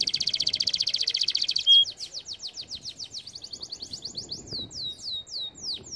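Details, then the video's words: Canary song used for training canaries: a fast buzzy trill around high pitch, then a brief pure whistle and a run of rapid down-swept notes accelerating into repeated rising-falling chirps. "Most powerful song for training Canary"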